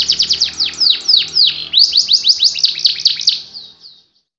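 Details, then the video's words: A canary sings a sequence of fast descending whistles, first close together and then more spaced, in the anti njepret, nagen satu titik style, before fading out into quiet. "KENARI ANTI NJEPRET NAGEN SATU TITIK"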